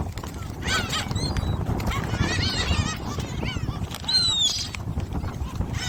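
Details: Gulls being fed shrimp snacks at Jebudo, Korea: scattered squealing cries and one drawn-out falling wail, partly masked by steady low rumbling noise.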